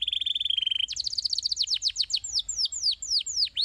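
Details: Canary song intended to prompt canaries to sing: a fast steady trill, a brighter rattling tour, then widely spaced, emphatic downward-sweeping notes repeated several times a second.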